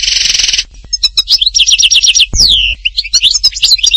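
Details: European goldfinch song from Htatba in Tipaza: a harsh buzzy burst opens, then a run of quick repeated tinkling notes, a clear descending slur, and more bright chattering twitters.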